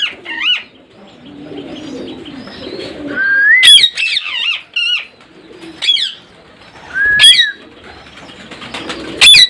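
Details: Parrot calling: sharp harsh squawks alternating with twisting whistled notes that rise and fall, in bursts every second or two, with quieter chatter between.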